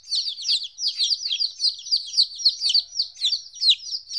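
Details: Fourteen-day-old chicks without their mother for the first time give loud, closely packed high cheeps, some held briefly then dropping, several birds calling at once.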